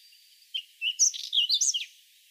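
A whinchat sings a brief, high, scratchy phrase that mixes quick whistles and chattering notes, lasting just over a second against a quiet background.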